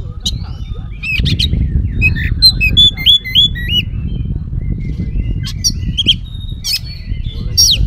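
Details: Oriental magpie-robin in nonstop mimicry-filled song, used to coax other magpie-robins to answer: a burst of looping whistled figures, scattered sharp high notes and harsh chips, over steady low noise.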